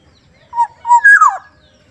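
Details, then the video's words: Single clean phrase from a soft-voiced Sumbawa black-naped oriole: two short, level, flute-like notes followed by a louder whistle that drops smoothly in pitch. "kepodang sumbawa suaranya Lembut"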